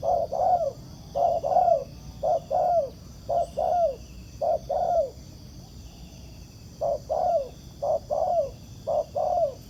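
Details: A spotted dove caught in the wild during ground-decoy trapping gives repeated two-note coos, a quick note then a falling, drawn coo. About six phrases come first, then a pause of roughly two seconds, then four more.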